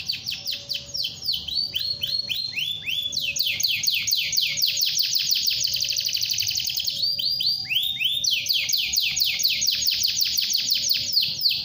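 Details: Canary delivering a long rolling song intended to set other canaries singing: loud, continuous rapid rolls of sharp downswept notes, speeding into buzzy trills and back, with a faint steady hum underneath.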